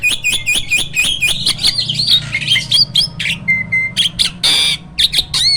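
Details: A hybrid myna sings constantly as a caged master bird for tutoring other birds. Loud, continuous, buzzy chatter with squawks and whistled slurs gives way to a brief level whistle and a harsh noisy burst.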